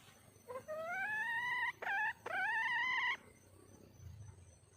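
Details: Female red junglefowl calling for a mate: long, drawn-out, slightly rising nasal wails broken by a brief gap, about three notes over three seconds, then faint background hiss.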